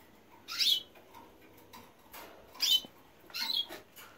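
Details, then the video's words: Canary fledglings just out of the nest: three harsh, raspy high-pitched squawks, each about a quarter second long, spaced unevenly over four seconds, with a quiet background between them. "Canarios recién salidos del Nido."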